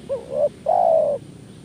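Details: Lure call of a spotted dove meant to attract doves: a brief wavering rising coo then a sustained, slightly falling low coo, clear and close.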